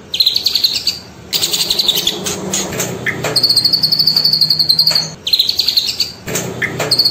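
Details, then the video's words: Cililin song used as training material for trotol and pastol birds and played in the morning and midday. High rapid trills come in bursts of one to two seconds, separated by noisy rustling gaps. "PER4NG ISIAN CILILIN"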